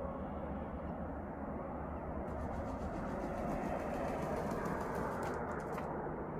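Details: Steady low rumble like a passing train or engine fills the recording, with broadband hiss and no animal voice.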